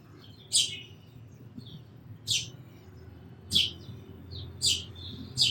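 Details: Five loud, sharp sparrow chirps spaced about a second apart, each a quick high burst, with faint softer twitters between them over light background noise.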